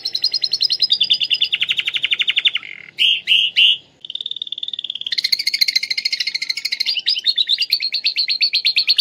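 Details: Atlantic canary singing lovebird-imitation song, Klaten, Indonesia: a sustained fast trill dropping in pitch, two short loud harsh blasts, a level rattle, then a long vigorous chattering trill with buzzy overtones.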